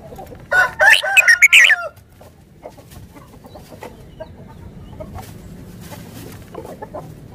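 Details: Caged red-whiskered bulbul from Thailand sings one lively phrase of rapid, warbled whistles lasting just over a second, followed by a long stretch of faint background noise with scattered distant clicks.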